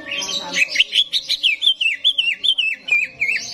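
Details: In a simulated songbird competition arena, a greater green leafbird sings a fast, wavering chain of bright whistled notes, rising and falling roughly four times a second, over softer chatter from other birds.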